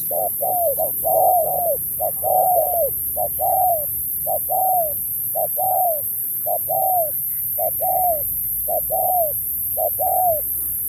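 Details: Spotted dove delivering Thúc-style song with Bo in a 2024 contest: repeated phrases of clipped notes running into descending coos, about one per second, fairly regular.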